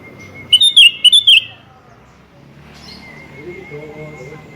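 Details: Sooty-headed bulbul, in a lively calling mood, calling out to challenge a rival: one quick burst of about five loud, bubbly chirped notes lasting under a second, then quiet apart from a thin, steady high whine throughout.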